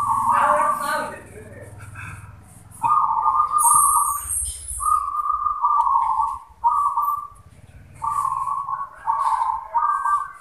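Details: Zebra dove (perkutut), local bird, singing in answering exchanges. Steady mid-pitched cooing trills come in phrases of one to two seconds after a man talks at the start, with faint background hum.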